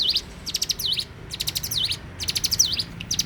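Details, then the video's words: In the morning, a bar-winged prinia sings lively, high-pitched phrases: clusters of rapid ticks, each ending in a crisp downward-then-upward swoop, given roughly every second. "suara alam cigun gacor dipagi hari"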